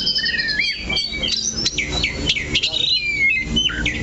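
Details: Oriental magpie-robin staying fixed at one point on its perch, singing a busy medley of clear whistles, downward slurs and sharp repeated notes, about three elements a second.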